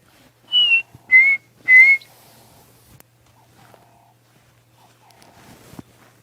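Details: A Chinspot Batis, the 'breakfast bird', calls at sunrise on a misty, peaceful morning in the Djuma area of Africa, giving three clear, pure whistles, each a little lower than the one before, over a faint low hum.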